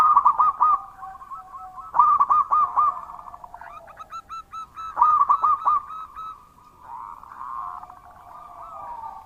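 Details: Zebra dove of a local strain, described as a loud, frequent singer. Bursts of four or five clipped, ringing coos come every two to three seconds over a steady rolling trill from other doves.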